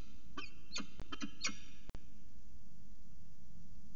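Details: Peregrine falcon in Orange before dawn, 5:29 am on 25 December 2019, giving an early-morning chat: about five short scratchy nasal notes in quick uneven succession, then a click and quiet hum.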